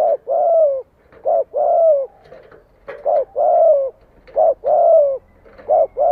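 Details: Spotted dove used as a decoy to entice wild doves to come and fight. It gives a run of deep, rolling coos in paired short-then-long notes, repeated rapidly about every one and a half seconds.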